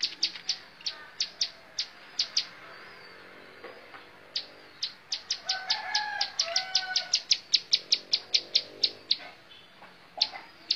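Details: Bar-winged prinia, known locally as ciblek sawah, delivering bursts of high, sharp, repeated chip notes in a montal mantul pattern, with a short pause mid-song and soft low whistles in the background.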